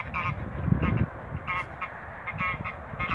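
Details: Toulouse geese, a group of six males and females kept in a backyard, giving short harsh honks in clusters of two or three, spaced irregularly, over low-pitched rumble and handling noise.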